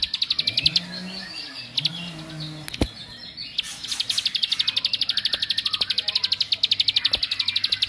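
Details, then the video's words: Bar-winged prinia of rice fields, sung to rile other prinias: scattered chirps and a few sharp knocks, then a long, dense run of quick, high ticking notes building steadily. "Kicaun Cibl3k ini Bikin Semua Cibl3k Makin Emosi"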